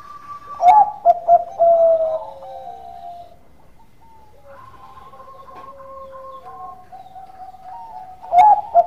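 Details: Bangkok-type zebra dove in full song, used as a lure for other doves. It gives a quick run of clipped coos and a long gliding coo. Quieter doves answer with sustained level coos, and the loud phrase returns at the end.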